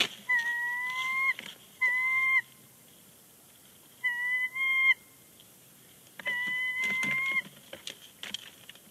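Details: Two bald eagles chattering on the nest at Big Bear Lake, 30 January 2020, before departing; four high, level whistled calls, each under a second, the last slightly longer, with pauses of one to two seconds between them.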